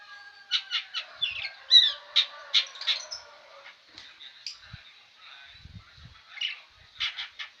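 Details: Long-tailed shrike (cendet) described as never falling quiet; rapid bursts of harsh, scratchy chattering and buzzy notes in dense runs, a quieter pause mid-clip, then a fresh flurry of sharp repeated notes, with faint low thumps beneath.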